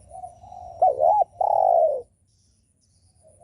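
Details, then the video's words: Spotted dove coo, a call used to stir up other doves: a soft lead-in coo, a loud looping double note, and a long sustained slightly descending coo, then near silence. "Chim cu gáy gù mở lên kích bổi cực hay"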